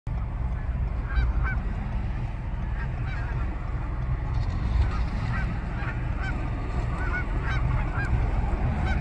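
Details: Canada geese at twilight, a flock giving scattered, distant two-note honks throughout, some overlapping, set against a constant deep rumble of background noise.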